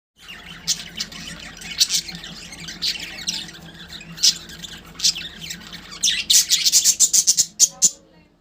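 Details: Pet budgerigars fighting each other: harsh, scratchy squawks at irregular intervals that build into a fast run of loud, grating screeches near the end.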